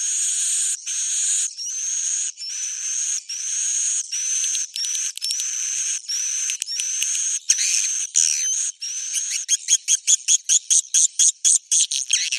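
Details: Roosting swiftlets give steady high buzzy trills in bursts of about half a second, speeding into a fast stutter of short clipped chirps toward the end.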